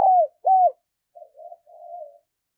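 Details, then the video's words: Calling decoy spotted dove, used to draw in wild doves: two loud, smooth, drawn-out coos followed by three soft, wavering, low coos fading away. "Tiếng chim cu gáy mồi thúc, gáy gọi bổi cực sung"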